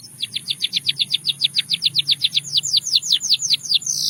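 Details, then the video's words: Russian singing canary, singing to seduce other canaries, delivers a steady even series of high downslurred notes at roughly five per second, gradually rising in pitch. "A Special Canary to Seduce All The Canaries - The Russian Singing Canary"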